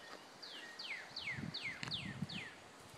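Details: On a paved nature trail at Sequoyah State Park, northeast Oklahoma, on 16 May 2015 as the sun came out after rain, a Northern Cardinal sings six clear, down-slurred whistles, about three per second, over rustling and footsteps.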